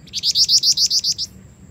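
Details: Female sooty-headed bulbul calling loudly to attract a male, giving a fast series of eight sharp, high-pitched chirps in about one second, each note briefly rising, with faint low rumble beneath.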